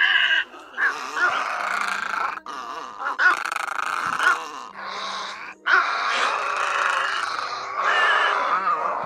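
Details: Lure recording for night net traps of great egrets and other egrets: long stretches of dense, grating squawks from several birds overlapping, broken by two brief silences, over a low constant hum.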